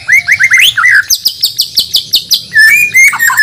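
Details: Caged white-rumped shama of Borneo stock from Banjar, being readied for a singing contest, delivering a loud varied song: rising whistled slurs, then a fast series of sharp high notes roughly every fifth of a second, ending in clear whistles.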